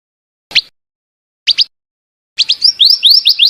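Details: Female scarlet minivet calling: two brief single and double chirps, then a quick run of rising, sweet whistled notes repeated several times per second.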